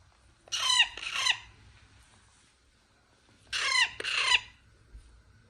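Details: Parrot chick screeching and squawking: two harsh, harmonic screeches in quick succession, each falling slightly at the end, then a pause and another matching pair.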